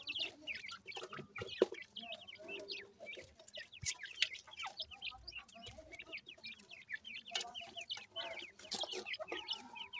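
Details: Many grey francolin chicks, bred in captivity in Punjab, call nonstop with thin high cheeps and upward-flicking peeps, densely overlapping throughout, punctuated by a few sharp clicks.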